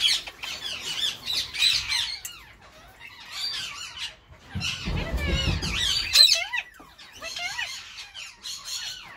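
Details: Captive Indian ringneck parakeet pair in spring, the Grey Edged male courting his hen; bursts of harsh squawking and warbling chatter separated by short lulls, with a low rumbling noise near the middle.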